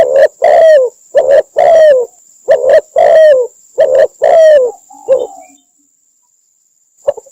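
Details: Spotted dove call from Cambodia, used to lure doves into traps: a rapid burst of low coos, long falling notes between short ones, ending in a weaker note and near silence, with a faint high whine.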